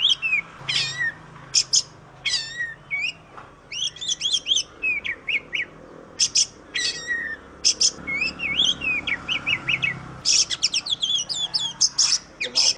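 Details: Kacer, the oriental magpie-robin, in a training recording for other birds, singing a busy medley of clear whistles, quick rising and falling slurs and dense high chatter, with short gaps between bursts and a faint low hum behind.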